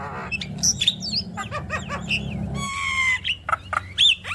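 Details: Varied chattering song of a Javan myna, meant to set other mynas singing: sharp clicks and rising whistled notes, a long stacked nasal buzz, then bright upslurred whistles, all fast and irregular over faint low hum.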